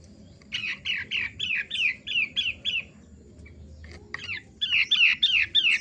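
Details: Long-tailed shrike in lively song: a run of about eight sharp, downslurred chirps, a short pause with scattered notes, then another quick burst of similar repeated notes.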